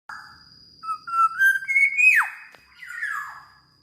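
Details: Black-naped oriole singing energetically: mellow whistled notes climb in steps to a higher sustained tone, then a sharp downward sweep, followed by a second slurred falling phrase; a steady high electronic tone runs underneath.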